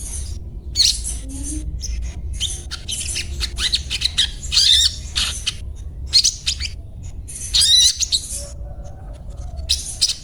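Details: Sogon (little spiderhunter) calling in separate short bursts of shrill, scratchy high notes broken by brief silences, some bursts sharper and louder, over a faint low hum.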